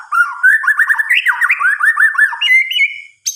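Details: A white-rumped shama sings at night with a continuous flowing warble of quick up-and-down slurred whistles that climbs gradually, ending in steadier higher notes and a brief sharp high burst.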